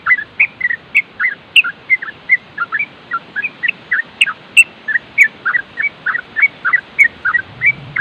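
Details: Yellow-vented bulbul (trucukan) giving nropel, a fast chattering meant to stir other bulbuls into replying: a steady run of short, liquid, bubbling notes, roughly three per second, continuing without pause.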